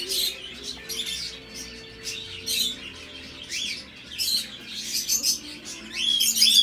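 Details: Hand-tamed Sun conures born in Thailand, filmed at a bird centre, giving harsh, high chirps and squawks in quick bursts, with a few thin whistles at the end.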